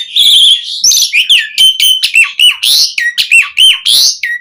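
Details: A lively Asian pied starling in full, rich song, used to prompt other starlings to sing: a dense run of loud, ringing whistled notes, each sliding down, mixed with raspy chatter and almost no gaps.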